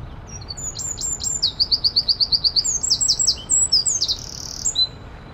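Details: Eurasian wren (Troglodytes troglodytes) singing loudly and clearly: high, piercing notes in a rapid series of evenly spaced repeated elements, then varied chips and a short buzzy trill, with little background noise.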